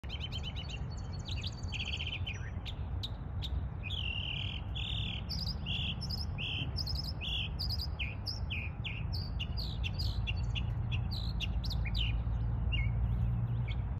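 A bird sings a rapid, varied series of bright chirps and short whistled notes, about two or three a second, over a steady low rumble of background noise.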